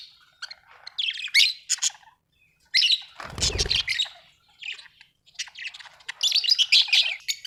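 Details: Budgerigar, described as happy, giving bursts of bright, scratchy high chirps and twittering phrases separated by short pauses, with a brief low rumbling thump in the middle.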